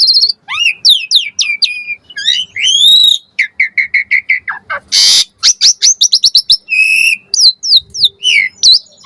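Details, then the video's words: Dense Asian pied starling lure song rich in varied phrases: steep falling whistles, fast runs of chattering notes, a brief noisy rasp mid-way, and more rapid repeated chips and slurs throughout. "Suara Jalak Suren Pancingan AMPUH Full Isian Variasi Agar Burung Jalak Auto NYAUT Cepat Gacor Isian"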